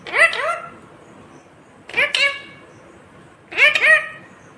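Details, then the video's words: Green ringneck parrot talking in natural sound: three raspy, harmonic word-like bursts spaced about one and a half seconds apart, each rising then sliding, with a gritty, speech-like texture over soft background hiss. "Natural Sound of Talking Ringneck green parrot"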